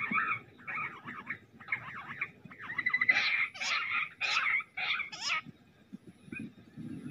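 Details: Jungle bush quail near a trap with a lure sound playing, giving quick runs of harsh, buzzy chattering notes that swell into a louder, grating burst midway, then fade to scattered calls.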